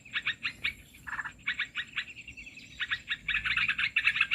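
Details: Lure sound of olive-winged bulbul for bird trapping: clusters of fast harsh chirps broken by short gaps and a lower grating phrase, rising in intensity toward the end.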